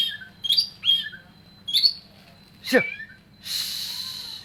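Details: Oriental magpie-robin giving scattered sweet whistled phrases and short slurred notes, then a harsh downward rasp and a burst of broad noisy hiss.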